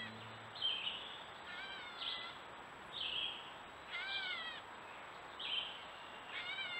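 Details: Gray catbird at a stone wall in New Hampshire woods, Strafford County, picked up by a trail camera: cat-like nasal mews repeated about every second, alternating slurred and downward-bending notes, over a soft constant hiss.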